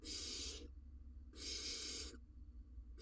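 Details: Barn owl nest in Israel during prey delivery, the male carrying a rodent to his nestling; two loud hoarse hisses under a second each, a third starting at the end.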